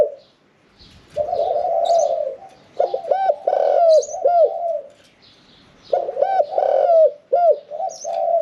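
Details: Caged spotted dove singing in 'khan yon 1 kuk' style with a middle voice; after a quiet start, long mellow coo phrases with bouncing arched notes repeat twice, small chirps from other birds in the background.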